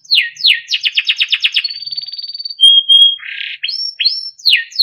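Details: Timbrado canary training song: falling slurred notes, a fast rattling trill, a thin steady high whistle, a clear pure tone, a brief buzzy burst, then rising and falling whistled phrases.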